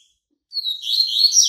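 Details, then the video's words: A moulting-out Bahian white-breasted yellow-bellied seedeater starts with a clear whistled note, then breaks into a dense, loud, high twitter lasting about a second. "COLEIRO BAIANO PEITO BRANCO SAINDO DE MUDA, CANTASSO"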